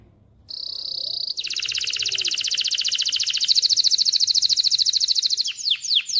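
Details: A canary singing to stimulate hens and train young males. A clear whistled note leads into a long, dense, rolling trill lasting several seconds, closing with a few sharp downslurred chips.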